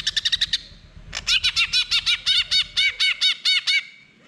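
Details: Greater green leafbird song meant to prompt a silent bird to answer: a fast stutter of sharp high notes, then a steady series of loud, ringing, arched notes repeated about three per second.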